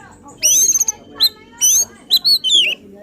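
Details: Oriental magpie-robin giving an agitated, excited song meant to provoke other magpie-robins: loud, high whistled and harsh notes in short bursts with brief pauses between phrases.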